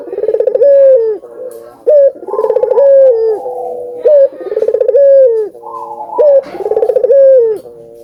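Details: Albino collared dove calling loudly, used to encourage doves to coo: four regular coos, each a sharp rising note followed by a fast throbbing roll and a falling, drawn-out ending, about two seconds apart.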